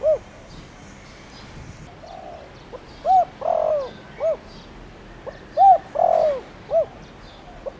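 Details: Lure spotted dove, 'tho dong' voice, calling to excite wild doves. Two cooing phrases come about two and a half seconds apart, each a level coo, a long falling coo and a short arched note. Many faint bird chirps sound in the background.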